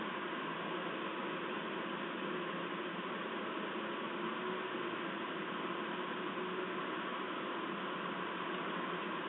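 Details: Steady broadband hiss like a fan or air conditioner runs without a break, with no animal voice heard.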